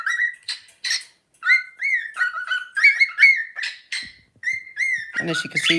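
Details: Two pet cockatiels in a double act whistle the tune of Another One Bites the Dust together, getting excited. Clear fluting whistled phrases with short gliding notes, ending in a burst of harsher rasping chatter.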